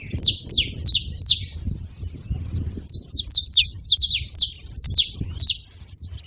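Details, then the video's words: A group of saffron finches making noise together, with quick, bright chirps falling in pitch. They come in clusters, thin out briefly after the first second, then return as a busier overlapping burst. Soft low background hum. "Canário da terra junto fazendo barulho"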